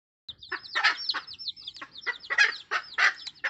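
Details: Wild red junglefowl mother hen calling her chicks: low, repeated clucks with bright bursts near mid pitch, while the chicks answer with a constant stream of thin, high, downward-sliding peeps.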